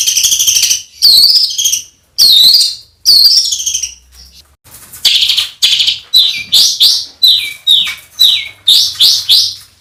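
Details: Coarse-fill songbird master for training competition birds: scratchy buzzing phrases, then a series of loud, quick, downslurred whistles repeated close together.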